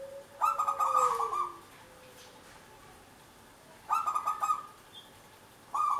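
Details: Local zebra dove (perkutut lokal) in full, steady song, kept to prompt other birds into singing; a rapid pulsed, throbbing coo phrase lasting about a second, repeated twice, preceded by a faint lower sliding whistle and another brief phrase at the end.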